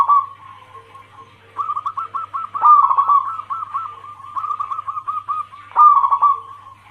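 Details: Female zebra dove of local and Bangkok crossing cemani strains calling the male, used as a lure: nearly continuous bubbling trilled coo phrases, rapid beaded notes rising and falling in loudness, a low electrical hum throughout.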